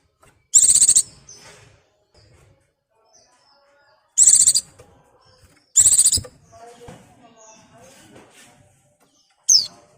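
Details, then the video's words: White-eye in breeding condition calling for a mate; short, very high, buzzy trilled bursts near 0.4 seconds each, four bursts spaced irregularly, with faint softer chatter between them. "BURUNG PLECI BIRAHI GACOR MEMANGGIL PASANGAN"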